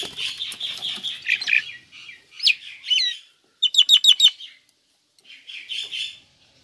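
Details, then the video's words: Pet female Nias hill myna delivering chatty song: sweet whistled notes, rising and falling squeaky slurs, then a fast burst of four sharp repeated chirps and a softer trailing warble. "Jalak Nias Gacor Betina"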